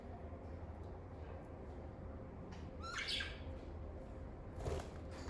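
A lovebird gives one harsh, screechy squawk, then a shorter rough chirp about two seconds later, over a steady low indoor hum.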